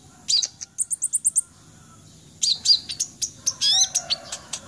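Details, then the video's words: Red-breasted sunbird (kolibri ninja dada merah) singing energetically: a fast run of even, high, sharp chirps, then a pause, then a burst of varied twittering notes with quick rising and falling sweeps. "KONIN DAMER ngobra total"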